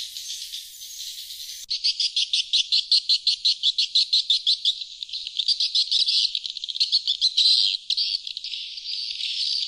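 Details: Swiftlet lure call played to attract wild swiftlets: rapid dry rattling clicks, about three per second, high-pitched and buzzy, after a short hissy start.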